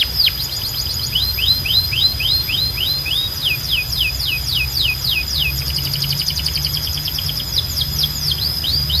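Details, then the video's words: Canary singing, a string of rapid high descending whistled notes repeated in quick runs, roughly three to four per second, then faster trilled phrases, over a steady low background hum. "Ultimate Canary Singing Compilation – Loud, Clear & Relaxing Sounds"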